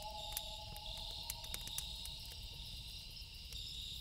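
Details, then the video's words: At night, a loon gives a long, steady wail in two sustained pitches lasting the whole stretch, set low beneath a loud, continuous insect chorus and scattered snapping campfire crackles. "1 Hour Loon Calls With Campfire Sound - Loon Calls For Relaxing"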